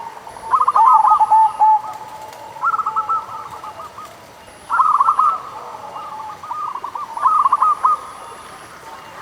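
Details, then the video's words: Zebra dove of a local strain singing, a lure sound to get sluggish doves calling: four bursts of quick, stuttering coos, each roughly a second long and two seconds apart, over low hiss. "Pancingan Suara Burung Perkutut Lokal"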